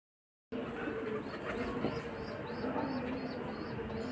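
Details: Pigeon chicks pecking at their mother for food while she struggles to feed them; faint, high, slurred squeaks repeat roughly every half second over a steady background hiss.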